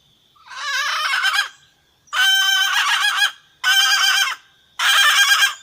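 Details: Red junglefowl hen calling the rooster, a call the wild birds answer and approach. It gives four loud, coarse, drawn-out cackling calls, each about a second long, at irregular intervals, with a steady insect drone between them.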